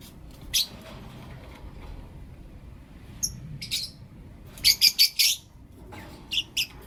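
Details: Blue opaline and lutino opaline lovebirds in the morning giving sharp, scratchy chirps, a single note, then scattered calls, and a fast burst of four loud chirps, against a quiet background.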